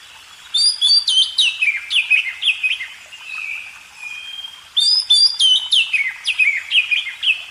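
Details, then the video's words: Magpie robin training song for cage birds: a bold run of sharp high chips and descending whistles, a softer drawn-out whistle in the middle, then the opening burst repeated. "masteran burung kacer"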